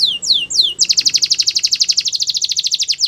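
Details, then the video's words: Training song from a Russian canary: three quick descending whistled swoops, then a fast, even trill of bright, sharp notes repeated about four times a second, loud and clean. "Russian Canary Sining | Canary Training Song"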